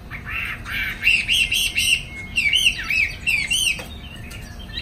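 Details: Caged Chinese hwamei in Hanoi, Vietnam, singing a loud run of rich whistled notes, repeated rising-and-falling slurs in quick succession, with a steady faint electrical hum underneath.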